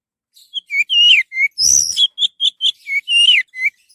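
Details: Lure recording of orange-headed thrush song: rapid run of clear whistles, descending slurs and short repeated chirps, with one harsher buzzy note midway, in a clean, steady delivery.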